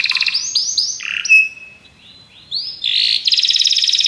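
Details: Song of Belgian canaries, beginning with quick rattling notes and downward-sweeping chirps, then a clear whistle, a brief lull, and a rolling high trill at the end.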